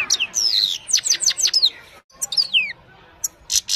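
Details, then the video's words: Himalayan goldfinch singing at evening, taken on a mobile phone: short phrases of high, clear downslurred notes and a drawn-out whistle, a brief gap, then a few sliding chirps. "Gold finch simple singing this is really amazing bird song"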